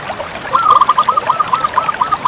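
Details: Zebra dove, Bangkok type, in full song: a rapid run of bubbling, repeated cooing notes lasting nearly two seconds against steady trickling background noise.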